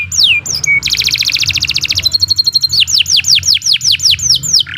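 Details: Master canary song for training other birds: a few sliding whistles, a fast buzzy rolling trill, then a row of about ten evenly spaced downward-sweeping whistles over faint low background hum.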